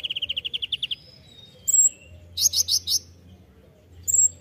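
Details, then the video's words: Ninja hummingbird singing briskly, a master recording meant for training songbirds: a fast run of ten clipped, repeated notes, a thin high whistle, then four loud ringing high notes, with low hum behind. "masteran kolibri ninja (konin) gacor full isian mewah"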